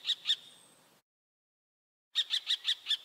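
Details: A pair of high, piercing notes from a common kestrel, a pause, then a rapid volley of six short, bright repeated calls.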